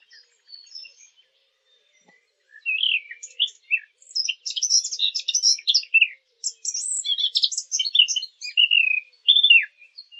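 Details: Quiet opening, then lively bird chirping takes over: dense clusters of sharp, high twitters and short slurred whistles, arriving in quick irregular bursts.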